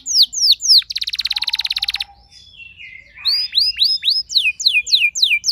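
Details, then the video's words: Household canary singing a long rolled reply to another bird: a few sweeping notes, a fast dense trill, a soft warbling passage, then a run of rising-falling whistled sweeps repeated about three per second. "Seketika Respon Kenari Rumahan Yang Kurang Gacor Langsung Nyaut Bisa Ngeroll Panjang"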